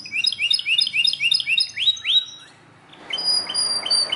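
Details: Belgian canary singing loudly: a run of quick rising chirped notes repeated about four per second, then two louder upswept notes, a short pause and higher thin whistles over faint background hiss.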